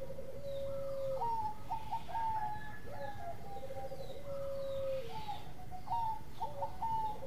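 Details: Zebra dove of the Bangkok type, an active singer recorded to tutor other birds: long held whistled coos and short clipped notes over a soft purring trill, set against constant low hum.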